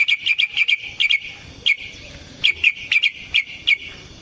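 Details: Yellow-vented bulbul in excited fighting song, played as a lure: clipped, bright whistled notes in quick clusters separated by short pauses, over a faint hiss.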